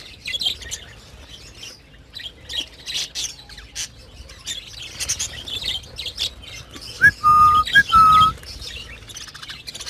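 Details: Budgerigars in a breeding colony during breeding season give scattered short chirps and scratchy notes in irregular bursts, then two clear, loud, level whistles close together near the end.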